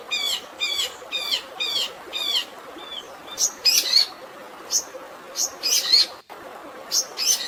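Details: Long-tailed shrike fighting song filled with sparrow-style notes, with natural water behind: an even series of chirps about every half second, then louder, higher piercing notes in uneven bursts, over continuous hiss.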